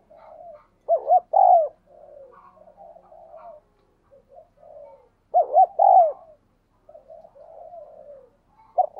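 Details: Spotted dove thúc gù cooing for training decoy doves and drawing wild doves: bursts of three or four rounded, hollow coos, one stretched and falling, alternating with long stretches of soft, low murmuring; a sharp note at the end.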